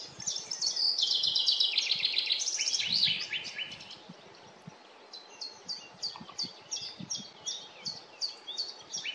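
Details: Common chaffinch singing in a forest: a loud, fast, descending rattling trill of bright high notes lasting about three seconds, followed by a quieter series of short, evenly repeated high chips.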